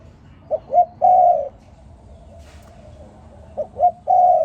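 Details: Morning calls of a spotted dove: two phrases, each made of two brief upslurred coos leading into a drawn-out, mellow coo of about half a second.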